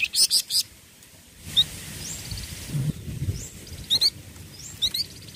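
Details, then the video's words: Flamboyan songbirds calling as a group: short, sharp high chirps in quick clusters at the start, then scattered single bright tweets over soft low rustling background noise. "FLAMBOYAN OMBYOKAN LANGSUNG BUNYI"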